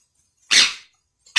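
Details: Rose-ringed parakeet, described as talking, gives one loud, harsh, hissing burst lasting about a third of a second, followed by silence and the onset of a second equally raspy burst at the end.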